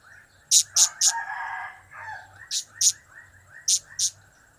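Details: Clusters of three, two and two shrill, high clipped notes from a blue-crowned hanging parrot in its cap-cap, kiak-kiak and crap-crap call types, with a brief lower rasp after the first burst and a soft whine behind.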